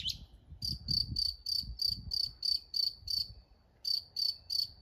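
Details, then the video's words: Mockingbird song: a fast run of short, bright chipping notes, about three a second, broken by one brief pause before resuming, over low rumbling background noise. "Songs of a mockingbird"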